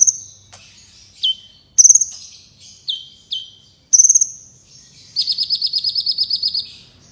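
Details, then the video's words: Black Sunbird (kolibri wulung), a lively singing bird used as a training recording for contest birds: high thin down-slurred whistles and sharp chips, ending in a fast even trill of about fifteen buzzy notes. "Suara Burung Kolibri Gacor Berprestasi (Kolibri Wulung)"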